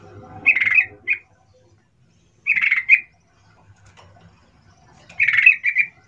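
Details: Sooty-headed bulbul lure call used to provoke other bulbuls to respond: three short bursts of harsh, chattering notes, each burst followed by a brief extra note, separated by pauses of about two seconds.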